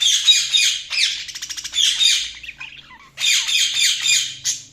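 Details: Chirping budgerigars: busy, scratchy warbling chatter with a quick rattling series of clicks, a brief pause with soft notes, then more dense high chatter.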